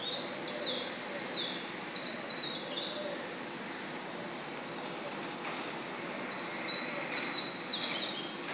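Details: Pre-dawn song of an Oriental magpie-robin, 7 June at 04:52, a new song with two sets of phrases: bright whistled phrases with slurred, warbling notes at start and end, quieter middle, over steady hiss.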